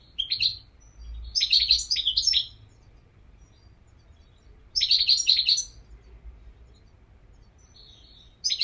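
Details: European goldfinch giving bursts of high, jingling, twittered notes in three main phrases separated by pauses, with a soft thin note between them over low hum.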